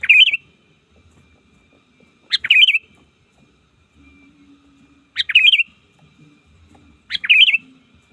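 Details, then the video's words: Sooty-headed bulbul, a trained lure bird learning to call rivals in the wild, giving short bubbly phrases of three or four liquid notes, repeated about every two to three seconds, with a faint low hum between them. "Suara burung kutilang ajaran, belajar memanggil lawan di alam liar!!!"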